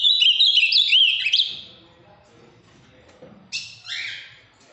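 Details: Large, strongly blue ultramarine grosbeak from Minas Gerais with a firm song: the clip opens with the end of a fast warbled whistled phrase, then goes quiet apart from two brief soft calls.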